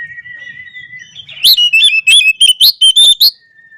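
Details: Morning song of an Oriental magpie-robin provoking rivals: a thin steady whistle first, then a burst of loud, rapid, ringing notes rising and falling, about ten in under two seconds, before a short fading tone.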